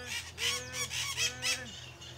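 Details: , harsh squawks filmed at a rural smallholding, a quick series of about five broadband screeching bursts within two seconds, with a lower drawn-out tonal call from another bird underneath.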